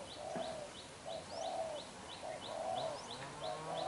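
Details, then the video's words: Young wild-caught spotted dove with black eyes, cooing vigorously: low, soft coo phrases recurring every second or so, accompanied by a steady series of short, high chirps from another bird and background hiss. "Bổi Tơ mắt đen, đập gù quá dữ"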